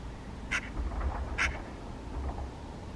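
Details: Feeding on rowanberries, a Eurasian magpie utters two loud, harsh, scratchy notes about a second apart while calling to the person filming; faint low rumble beneath.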